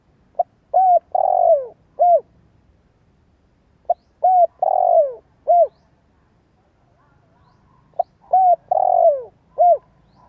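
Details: Spotted dove lure coos repeated three times at roughly four-second intervals. Each phrase: brief lead note, arched coo, long grainy downslurred coo, final arched coo. Low, mellow and steady over a faint hum.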